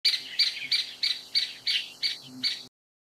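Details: Grey-capped pygmy woodpecker, a Taiwan endemic subspecies of broadleaf forest, giving a fast series of high, buzzy, squeaky notes, about three per second, evenly spaced over nearly three seconds, with no other sounds.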